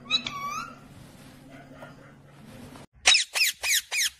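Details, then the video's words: Indoor parrot: one thin whistled note, then a pause with faint room noise, followed by four rapid harsh screeches close together at the end. "parrot Sound"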